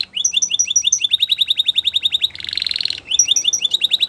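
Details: Canary singing for training, with rapid strings of sharp high chirps, a brief dense buzzing trill, then more fast chirps.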